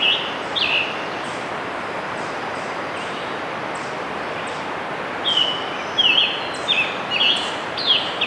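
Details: Scarlet tanager singing on June 3, 2015 in Letchworth State Park, Upper New York State: short burry, hoarse phrases, one near the start and a run of several after a pause, over steady background noise.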